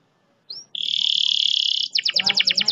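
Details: Canary performing a long roll, meant to trigger singing in reluctant canaries: a short rising whistle, then a smooth sustained trill over a second long, breaking into rapid evenly spaced pulsed notes at the end.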